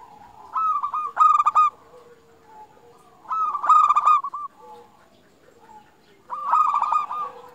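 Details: Local Indonesian zebra dove singing vigorously, a lure to draw other zebra doves into song: three bubbly cooing phrases about three seconds apart, each a stuttered series of notes, with quiet lower coos in the gaps.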